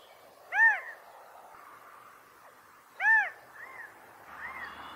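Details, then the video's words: California quail giving mating calls: two loud, arched, harmonic-rich notes about two and a half seconds apart over a steady low background hiss, with softer faint notes following. "California Quail Bird Sound/Call/Song/Noise/Mating calls"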